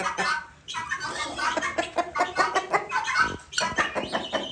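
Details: Guineafowl kept separated because of fighting with newly bought guineafowl give harsh, rasping calls in quick repeated bursts, with several voices overlapping in a loud, grating chatter.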